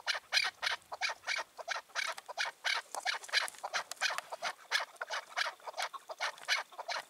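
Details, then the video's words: A dominant wild chukar that silences rival males' calls gives loud, harsh, hoarse notes in a regular series, roughly one and a half per second, on an evening in June 2023. "Sevdiğim Keklik Sesi"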